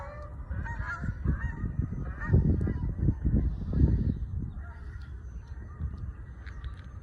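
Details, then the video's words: Canada geese flying in New Jersey honk loudly, a busy overlapping chorus of nasal honks about twice a second, with low rumbling noise underneath. "Geese Flying And Honking Loud Sounds"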